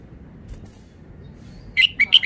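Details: Red-whiskered bulbul phrase arriving late: near-silence, then three or four sharp, sweet whistled notes in quick succession, the last one cut short.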